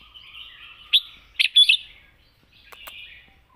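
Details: Red-whiskered bulbul delivering its wild-style, long-phrased song: a brief phrase of loud, bright, fluty notes in the middle, with faint twitter before and after.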